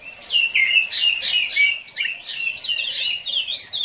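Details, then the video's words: Oriental magpie-robin in the kacer 'konslet' style favoured by Indonesian bird-song hobbyists, pouring out a dense, unbroken tangle of rich whistles, slurs and rising and falling notes. "KACER KONSLET NGEPLAY ADU MEKANIK"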